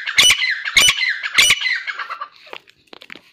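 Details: Female grey francolins fighting, giving three loud, harsh broadband squawks about half a second apart, followed by quieter scratchy rustling and clicks.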